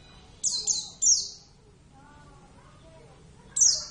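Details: Javan Oriental white-eye, Zosterops palpebrosus javanus, a kept bird in lively song: a quick pair of high twittering bursts, then silence, then another sharp high burst near the end.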